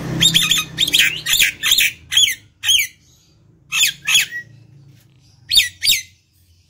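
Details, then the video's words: A lively, talkative Nias hill myna, its song used at home as a lure for other mynas, gives loud, harsh squawks and shrill whistles in quick bursts of two or three, with brief pauses, in a small indoor space. "suara jalak nias gacor"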